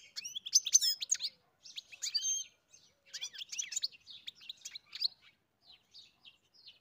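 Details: European goldfinch song, a fast, high, twittering stream of thin chirps and tinkling slurred notes that thins out into softer, scattered twitters near the end.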